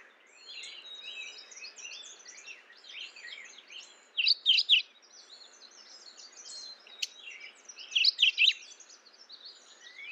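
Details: Two loud, brief bursts of rapid chirping notes from a mourning warbler, about four seconds apart, rising out of a busy background of softer bird twitters.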